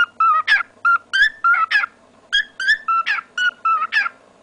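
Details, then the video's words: Male pet cockatiel singing a song that imitates the words "go go go": rapid string of clear whistled syllables, flat steady tones alternating with rising slurred chirps, about three to four notes per second, with a brief gap midway. "My dear cockatiel Coco's song"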